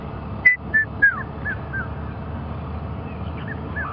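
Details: On an afternoon safari drive near sunset on 30 October 2015, a distant Red-chested Cuckoo gives three loud whistled notes, each slightly lower than the last, then fainter distant whistles over a low vehicle engine rumble.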